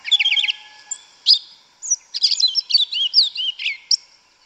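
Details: Yellow-legged thrush, called sabiá preta, singing in the forest: a fast rattling run of clipped notes opens, then a long, varied stream of twisting whistles and chirps poured out with hardly a pause.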